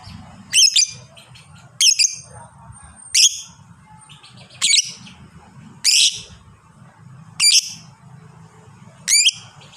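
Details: Lovebird, fighter type with long ngekek chatter: loud, high, grating squeaks, several doubled, recurring every one to one and a half seconds against a low rumbling background.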